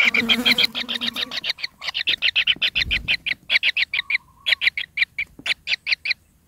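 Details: Greedy kingfisher nestlings in their nest, pin feathers starting to grow, begging for food: rapid, harsh, buzzy chirps repeated several times a second in long unbroken runs, with a brief lower rasp at the start.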